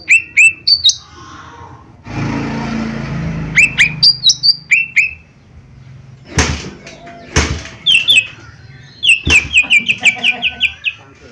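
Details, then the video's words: Lesser green leafbird lure song. Chirps and whistles, a two-second hiss of background noise, then a rapid run of repeated short chip notes near the end, broken by a couple of sharp clicks. "Cucak Ijo Mini Gacor 💯 Pancingan Paling Cepat Bunyi/Respon"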